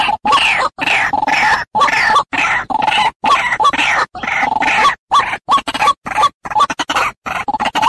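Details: White-breasted waterhen lure call used by trappers to attract waterhens, with harsh, croaking notes in fast, uneven bursts, nearly three per second, broken by abrupt silences.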